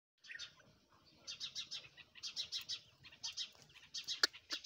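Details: Black francolin, called Irani or kala tetar, in harsh, scratchy chattering notes delivered in rhythmic clusters of four to six pulses, separated by brief pauses, with a sharp click near the end.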